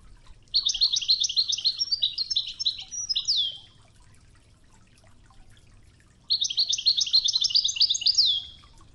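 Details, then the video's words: Widani toughza song of a European goldfinch, a training recording with murmuring river water: two long phrases of dense, jingling twitters, each ending in a falling sweep, separated by a quiet stretch of soft flowing-water noise. "الشريط الويداني الأصلي توغزة بنغمات خرير مياه الأنهار"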